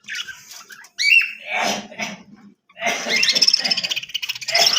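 Budgerigar chatter: rapid, scratchy warbles mixed with short, bright chirps and clicks.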